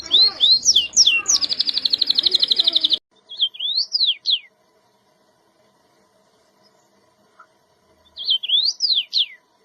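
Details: Canary song bursts: a loud rolling trill with swoops for about three seconds, then near silence broken by two short phrases of rising-and-falling whistled notes.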